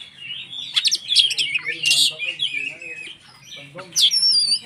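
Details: White-rumped shama song meant to provoke other shamas into singing: varied loud whistles and sharp chirps with rising and falling sweeps, bursts around each second, with a faint low hum in the background.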